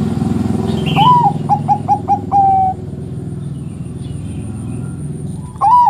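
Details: Zebra dove of the Bangkok type delivering its bekur song, described as provoking rival doves to sing: an upswept opening note, four short pulses, then a sustained closing hoot. A second phrase begins at the end, with faint higher chirps early on.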